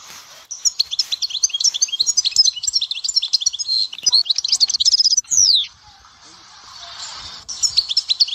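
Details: Goldfinch song recorded at Dahouara, Souk Ahras: a long run of quick, bright, chattering notes for about five seconds ending in a sharp descending slur, then near silence before a brief twitter resumes.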